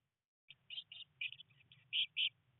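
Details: Eurasian blue tit nestlings, one of three chicks on day 19 in a nest box during heavy rain, around first flight attempts: a short run of high, clipped chirps, the last two louder and fuller, over a faint low hum.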